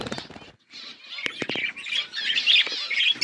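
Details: Flock of budgerigars eating food. A few sharp broadband clicks and taps open the clip, then dense, overlapping chirping and warbling chatter builds and carries on to the end.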